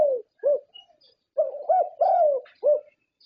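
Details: Zebra dove from Thailand, a prize-winning contest bird, delivers its distinctive cooing: a short coo, then a quick rounded note, a long drawn-out falling coo and a final rounded note, mellow and low-pitched.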